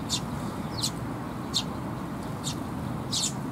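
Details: At a Tenmangu shrine on 16 May 2021, young sparrows arriving for food utter five or six short, high, harsh chirps spaced irregularly, roughly every half second, against a low background murmur.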